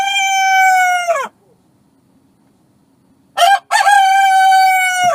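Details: Domestic rooster on a farm crowing twice: a long, rich, harmonic call held steady then falling off, followed after a silent gap by a short stuttering start and a second sustained crow.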